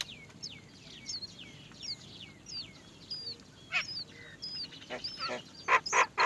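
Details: Many Great myna young waiting to be fed as the mother cannot find food; thin, falling, whistled notes repeat steadily, then loud, harsh, buzzy bursts crowd the final seconds.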